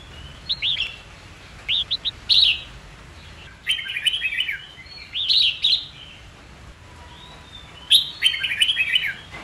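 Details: Red-whiskered bulbul singing fighting song, used to train birds to learn song quickly: short bright warbled phrases of rising and falling whistles, bursts about every one to two seconds, with faint background hiss.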